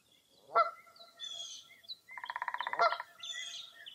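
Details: Lakeside birds at Mirror Lake State Park, Wisconsin, on a foggy early April morning: one sharp honk, then a long buzzy pulsed rattle with a second honk inside it, over soft high whistles.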